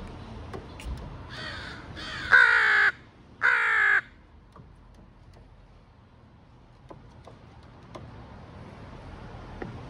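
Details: Crow near its nest in a deciduous tree, shortly before nesting began: a burst of four hoarse, harmonic caws over about three seconds, the middle two loudest, followed by quiet background with faint clicks.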